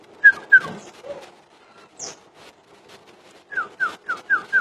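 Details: Common iora song: two sharp whistled notes, a brief quieter stretch with a high squeak, then a quick burst of five rapid downslurred whistles close together. Faint knocks sound in the background.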